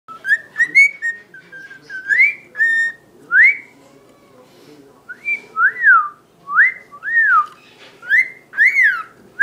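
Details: A year-old male pet cockatiel sings to a tissue: a string of clear whistled notes, some rising and falling in short arches, each note separated by brief pauses, in a quiet room.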